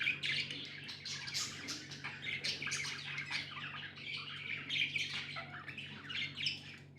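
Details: Pet budgerigars chirping busily: dense overlapping twittering and warbled chatter without pause, with short scratchy squawks mixed in, over a faint steady low hum.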